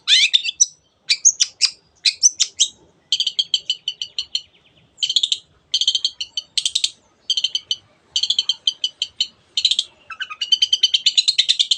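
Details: Energetic long-tailed shrike song in the 'teot teot' style, for rousing other birds: rapid stuttering trills of clicky high notes in short bursts, ending in a fast even rattle.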